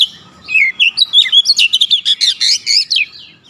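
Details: Continuous lively song of an Oriental magpie-robin, a fast string of sweet whistles and crisp high chirps lasting about three seconds.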